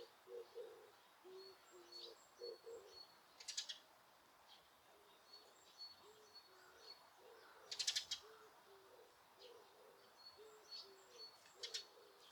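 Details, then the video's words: Birds in Osaka Castle Park, Japan, with noise reduction: a low, repeated cooing runs throughout, with high thin notes and two sharp bursts of rapid, harsh ticking. "大阪城公園 鳥の鳴き声"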